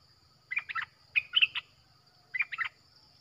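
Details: Streak-eared bulbul with a fierce-sounding song played to lure wild birds: three short bursts of chirpy, bubbling notes, each a tight cluster of four or five quick notes, separated by pauses over a quiet background.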